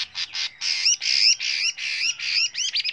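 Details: Chinese hwamei giving a many-voiced song for training other birds: harsh, rasping bursts repeated several times a second, ending in short rising whistled notes.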